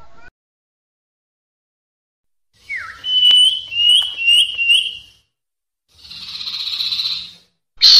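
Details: Bird-catching lure sound of a sirpu, or Common Iora: a brief downslurred whistle, then four short rising whistled notes. A sustained harsh buzz follows, and the start of another loud call.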